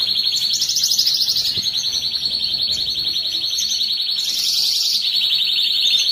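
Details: Canary song for exciting males and preparing females to mate: a high, rapid, evenly pulsed trill held for several seconds, briefly shifting upward near the end.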